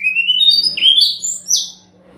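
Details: Brown-chested jungle flycatcher song used as a lure to make silent birds answer: a high whistled phrase stepping upward, then a sharp rising note and two descending slurred whistles, with a faint steady low hum.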